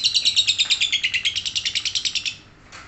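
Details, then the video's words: Lovebird ngekek with rapid harsh, shrill chirps at a steady pace. Roughly seventeen notes come in a quick run before the bird stops. "Lovebird langsung ngekek"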